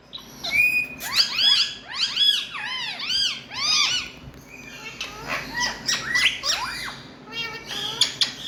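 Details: An Indian ringneck parakeet gives loud noise: a quick series of arched, strongly harmonic screeches in tight pairs, then jumbled chattering squawks and more arched calls near the end.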